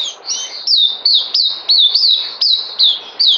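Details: Caged white-eye on 9 December 2018, due for deworming, sings a thin, shrill series of falling whistled notes repeated roughly every third of a second, starting softly then growing loud.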